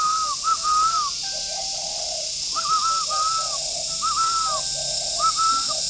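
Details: A spotted dove at a Ba Vì bird garden near Hanoi, northern Vietnam, cooing in the morning: steady low, breathy coos paired with arching whistled notes, repeated four times over a high insect hiss.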